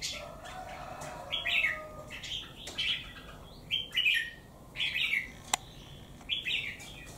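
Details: Wild-caught bird kept three months in a cage, showing one white claw, sings against a strong rival; short chattering warbled phrases about every second and a half, with clicks and a faint low hum at the start.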